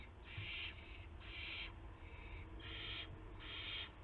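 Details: Owl at its nest around 1:00 AM, March 24, 2016, with a gopher delivered as prey; four loud, breathy rasping screeches about a second apart against low hum.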